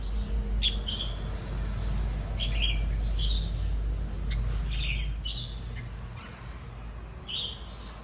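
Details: A wild-caught red-whiskered bulbul held in a cage, noted as singing readily, produces a run of brief sweet warbled notes spread across the recording, over heavy low-pitched rumble.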